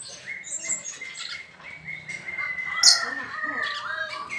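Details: A pair of captive Sooty-headed bulbuls (Pycnonotus aurigaster) singing nonstop, busy bubbly chirps and short whistled phrases overlapping continuously, with other small bird calls and faint voices behind them.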